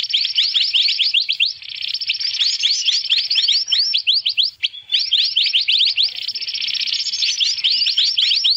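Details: Black-naped monarch (mantenan), a noisy lure recording used for bird trapping: dense, unbroken chatter of quick, upward-sweeping sharp chirps, overlapping rapidly with a high buzzy hiss and a brief lull near the middle.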